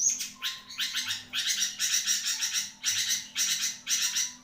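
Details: Long-tailed shrike, a songbird praised for singing at length, gives a fast stream of harsh, grating chatter notes, roughly three per second, with brief gaps between bursts.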